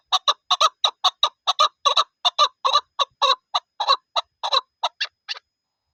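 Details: Chukar partridge, in a hunting setting, calling in a rapid train of loud, hoarse chucking notes that spread apart slightly and trail off near the end, then silence.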